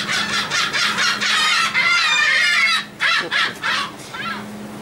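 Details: Gulls crowding a ferry deck for food on a crossing from Texel, the Netherlands, 28 March 2014: dense overlapping screeching and yelping calls, several birds at once, ending in short separate squawks, over ship engine hum.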